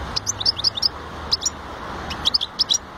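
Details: Two short phrases of bright, high chirps from a goldfinch, each a quick cluster of five or six notes, separated by a brief pause, over a low steady hum.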